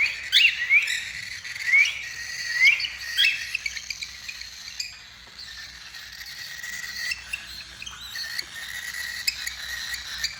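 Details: Tame pet cockatiels, a family group chirping together; clear whistled notes sweeping upward, several in the first few seconds, over a steady hiss of background noise and fainter chatter.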